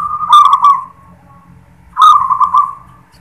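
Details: Local zebra dove's "klar ketek kuk" song: two vibrating, trilled coo phrases, each with a sharp clicky onset, over a faint low rumble.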